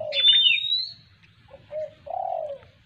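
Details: Hand-reared Black-winged kite chick in East Aceh, fed pieces of squirrel meat, utters a long high piercing whistle that rises slightly, followed by a few short lower nasal notes with pauses between.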